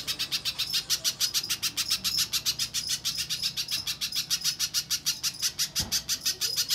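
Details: Pijantung pisang (spiderhunter) lure recording meant to make newly caught birds reply energetically: long run of rapid, dry, high-pitched chip notes at roughly three per second, slightly uneven in spacing, one brief low knock near the end.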